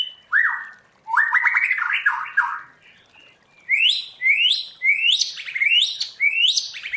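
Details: White-rumped shama, a caged bird trained to sing in the forest-voice style, gives rising whistled slurs, then a series of repeated upward-sweeping notes, about five in quick succession, with a brief quiet gap midway.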